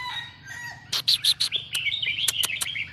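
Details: Red-whiskered bulbul of Burmese stock singing the counting-style song. Sharp clipped chirps in a quick series, then a bright warbled whistle wavering at high pitch, over a steady low mechanical hum.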